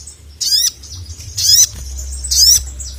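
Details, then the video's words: Calling sogon, a ruby-cheeked sunbird summoning the male: three separate harsh, high squeaky bursts, each with a falling buzzy tail, spaced roughly a second apart. "SOGON GACOR MEMANGGIL JANTAN"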